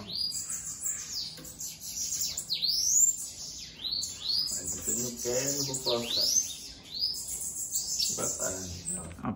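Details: Loose sibite, the Bananaquit, delivering a long run of shrill, arching, buzzy notes in rapid series, with people's voices breaking in now and then.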